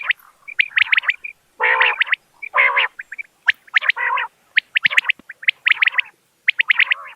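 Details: Common quail in a clear, natural recording meant for luring birds while hunting: quick bursts of three or four sharp, clicking notes alternate with harsher, broad rasping phrases, with short silent gaps between them.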